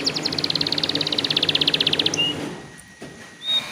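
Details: Canary song played to encourage untrained canaries to sing. A long rapid even trill of bright notes lasts about two seconds, then a short flat whistle, quiet, and a final thin whistle.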